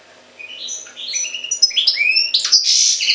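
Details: European goldfinch from Jagodina singing a fast, liquid twittering song of tinkling, rising and buzzy notes that grows louder and denser toward the end, over a faint steady low hum.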